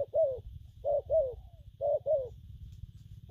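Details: A spotted dove gives three paired coos, short hoot then a longer downward-sliding note, roughly once a second, styles named gù phóng, kèm and gù lăn, above a persistent low hum.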